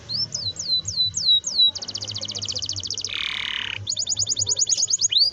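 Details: Canary in full song, used to prompt young canaries to learn singing: four looping upslurred whistles, a fast metallic trill of repeated notes, a low harsh buzz, then another rapid rolling trill ending in a rising sweep.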